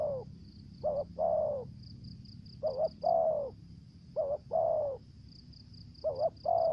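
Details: Decoy spotted dove calling in the thổ dế voice style, with dập and mai rừng voices. Three low cooing phrases, each a quick doubled note and then a longer falling coo, over a steady pulsed insect-like trill and a faint low hum.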